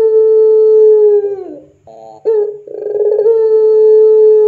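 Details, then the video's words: Puter pelung dove giving long sustained coos, recorded as a lure for training other doves: a steady held tone fades and drops, then after a short gap rough rolling notes lead into another long level coo. "SUARA PANCINGAN PUTER PELUNG GACOR COCOK UNTUK MASTERAN PUTER PELUNG apapun"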